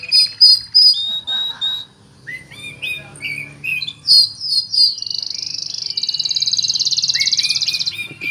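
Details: Oriental magpie-robin with cricket-mimicry fill: loud clear whistled notes, a pause, scattered chirps and swoops, then a long high pulsing buzzy trill like a chirping cricket.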